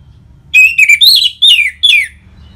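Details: Rich ngeplong song from an orange-headed thrush, used to prompt caged birds: five loud, full whistled phrases, each sliding downward, with short gaps between them.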